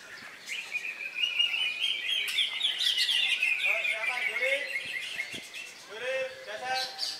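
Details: Caged greater green leafbird, just out of its moult, competing at a songbird contest in Indonesia on a Saturday, 3 September: a long, loud, rapid trilled chatter. Overlapping human voices and other bird notes come in the second half.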